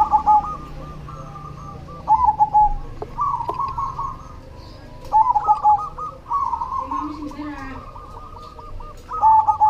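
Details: Zebra dove of the cemani variety singing: repeated phrases of rapid rolling coos, each phrase closing with louder clipped notes, returning every three seconds or so, with other doves cooing softly behind and a low hum.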